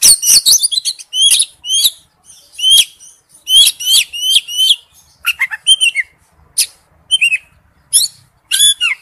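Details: A male Oriental magpie-robin calling to a female gives bright, varied whistles and sharp chirps in quick bursts about every half second, with clean slurred notes in between.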